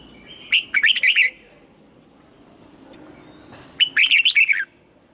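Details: During morning song training toward the double-note old-forest style, a red-whiskered bulbul gives two separate quick warbled phrases about three seconds apart, each a cluster of sharp, slurred notes with a quiet gap between.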